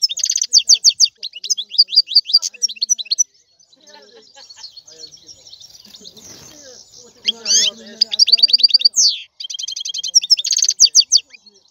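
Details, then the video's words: European goldfinch song: quick jingling trills at the start, a subdued middle section with soft background noise, then a renewed burst of bright twittering and buzzy slurs. "لا يمكنك ان تسمع اقوى من غناء هذا الحسون"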